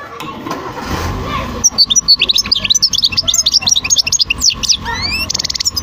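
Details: European goldfinch singing a long, loud run of quick, liquid twittering and tinkling notes with buzzy slurs, closing with a short rattling trill, over a faint background hum.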